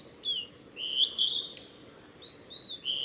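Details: On the Tanzawa Mizusawa forest road, Japan, 8 June 2020, a male Blue-and-white flycatcher sings a short sequence of sweet slurred whistles, rising and falling, followed by thinner high notes, over low steady hiss.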